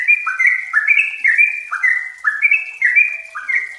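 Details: Trucukan, or yellow-vented bulbul, used to coax raw birds into singing: lively string of short whistled notes stepping down and springing back up, about two a second, bubbly and unbroken.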